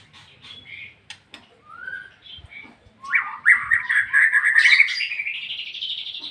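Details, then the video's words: Ngeplong-type song of a white-rumped shama. Soft, scattered whistles and clicks come first, then a sudden loud, fast rolling trill that holds and gradually rises in pitch to the end. "MURAI BATU NGEPLONG-NGEPLONG"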